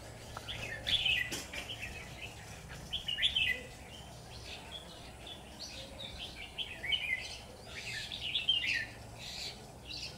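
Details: Red-whiskered bulbul kept as a decoy in a bird trap sings repeatedly to call in wild birds. Bright, bubbling warbled phrases come every one to two seconds over a soft, steady background murmur.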